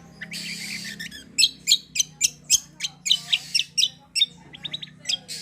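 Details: Cucak kombo in full shooting song used as a lure for other birds; a steady run of loud, harsh high chips about four per second, ending with a short rapid trill.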